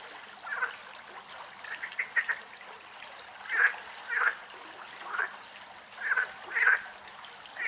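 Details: Mallard (Anas platyrhynchos platyrhynchos) family in Greece, this year's young still with their mother, filmed from a distance in the last sunlight: short, high peeping notes in irregular bursts every second or two over a steady background hiss.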